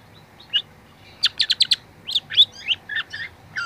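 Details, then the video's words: Young long-tailed shrike singing for a training recording: a quick cluster of sharp high chirps, then varied slurred whistled notes and squeaky phrases, loud and clear against a quiet background. "masteran cendet muda"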